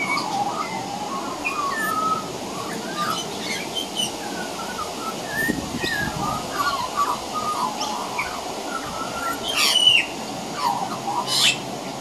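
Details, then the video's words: Juvenile Australian magpie hiding behind a corner on a veranda, practising its carolling: a loose, rambling run of varied warbled and whistled notes. Juvenile pied butcherbirds also practise their singing, and sharp high chirps come near the end. "Juvenile Magpie Practicing Singing"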